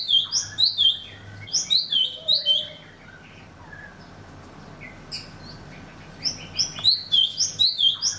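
Golden-fronted Leafbird giving bright, high, rapid chattering phrases in bursts of about a second, with a pause before they resume; a faint low whistle from another bird underneath.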